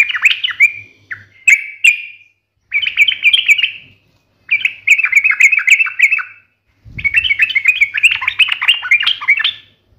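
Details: Sooty-headed bulbul in full song, delivered in a sharp, fighting wild style meant to draw an instant reply from other bulbuls. Four bursts of bubbling, chattering notes are separated by short silences, and the last burst is the longest.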